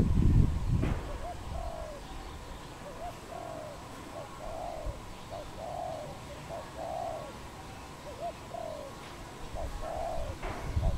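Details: Wild doves, a pair, recorded in Cambodia on 24 April 2020: a long run of soft rounded coos, short and long notes alternating in a rhythmic series, with a couple of knocks.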